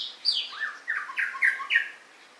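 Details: White-rumped shama singing a rapid, varied run of loud rich notes, descending slurs followed by a string of bright, slightly harsh phrases, each about a fifth of a second, in close succession, then fading to quiet.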